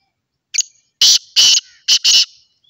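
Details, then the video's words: A black francolin (kala teetar) gives one short note, then four loud, harsh, grating notes run together in a quick phrase; no other sounds are heard. "The beautiful call of the musky pheasant"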